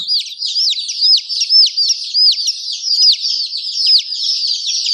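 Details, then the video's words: Baby chickens cheeping as a group, bright high whistled notes that drop sharply in pitch, repeated rapidly and overlapping throughout. "Murgi baby chirping sound"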